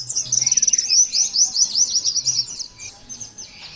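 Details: Oriental white-eye, kept as a songbird, in a fast high twittering phrase opening with a rapid trill, then squeaky slurred chirps that fade toward the end.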